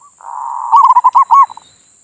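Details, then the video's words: Zebra dove, a local perkutut, in manggung song meant to stir passion in other doves: a low purring roll swells into a loud burst of rolling, bubbling coos, then a few fading short notes. "suara perkutut pancingan birahi"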